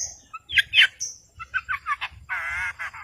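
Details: Long-tailed shrike singing actively, used to provoke silent birds into singing: a varied medley of thin whistles, sharp chips and short squeaky notes, ending in a longer wavering grating phrase.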